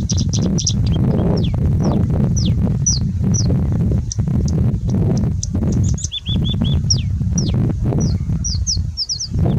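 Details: Singing bush lark singing through heavy wind in India: clusters of quick, piercing high chirps and short slurred whistles repeat across the clip while gusts roar and thump loudly beneath.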